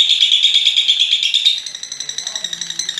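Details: A lovebird's ngekek, played to set other lovebirds off: a loud, rapid shrill trill for about a second and a half that then weakens into softer, spaced ticking pulses.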